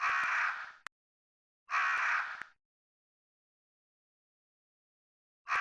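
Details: Harsh crow caws repeated with long quiet gaps, three grating calls under a second each, with faint ticking clicks between them.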